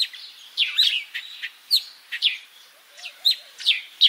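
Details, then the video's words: Sparrow in Africa uttering loud, dense chirps about every half second, each a quick downward-sweeping note, some buzzy and smeared; a faint soft warble sits low in the background. "Воробей. Африка. Голоса птиц"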